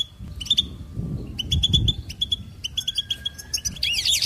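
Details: Goldfinch singing quick chirping phrases with steady notes, closing in a swirling, buzzy flourish; a thin whistle-like tone and low rumbling noise sit in the background.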